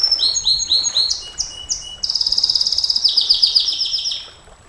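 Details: Canary in 'nembak panjang' song for masteran: a series of downslurred chirps, then a long rapid pulsed trill about four per second sliding lower before fading.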